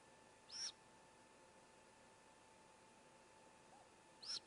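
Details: At a Great Gray Owl nest with four owlets, a sibling calls as the youngest swallows a whole vole: two brief, high, rasping screeches, one early and one near the end, over a steady low hum.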